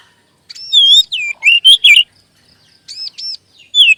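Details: Kacer (Oriental magpie-robin) lure song meant to get other kacer singing; fast run of slurred, falling whistles, then a pair of high arched notes and a final downward whistle.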